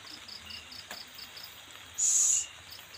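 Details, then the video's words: Owl at its young during feeding, one loud harsh hissing burst lasting about half a second, high and noisy, over steady rhythmic cricket chirping. "melihat burung hantu ngelolohi anak nya"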